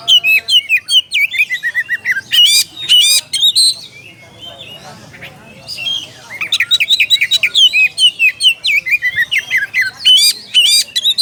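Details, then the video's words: Oriental magpie-robin calling a rival, pouring out long bursts of rapid, varied whistles and sharp chirps, pausing briefly midway before resuming an equally fast, busy stream of notes. "SUARA KACER MEMANGGIL LAWAN."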